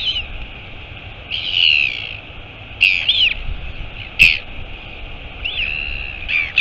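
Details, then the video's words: Long thin whistles and arched squeals come in uneven bursts, with a sharp tap or click now and then. Royal albatross mother arriving at the nest, Taiaroa Head near Dunedin, New Zealand, recorded by a live camera on 23 August 2022. "Альбатрос. Прилетела мама - Albatross. Mom arrived"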